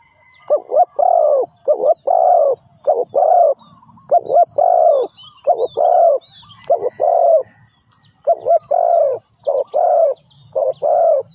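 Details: Spotted dove used as decoy for trapping, cooing in a long rapid series of about nine phrases, each a couple of short notes leading into a fuller coo, under a persistent high insect drone.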